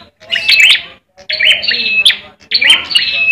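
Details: Bar-winged prinia raised for Indonesian song contests, in fighting song: three buzzy chirping phrases with whistled streaks, each under a second, with brief silences between.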